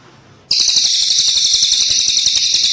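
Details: A cililin bird suddenly bursts into a loud, sustained, very high-pitched trill of rapid even pulses after a quiet start.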